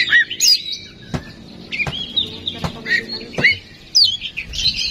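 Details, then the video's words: Lure recording of oriental magpie-robin for provoking song: scattered bright whistled slurs and short chirps, broken up by loud, sharp knocking clicks and low background noise. "Suara Pancingan Kacer Agar Cepat Emosi Gacor ! Pancingan Paling Ampuh Buat Menaikan Emosi Kacer"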